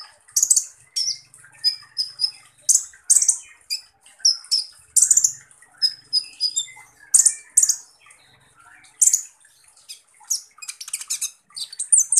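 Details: Van Hasselt's sunbird, known as kolibri ninja, in a full rough 'tembakan kasar' song: dense runs of sharp, high, shrill notes with scratchy, harsh bursts arriving several times a second, and faint soft chirps in the background.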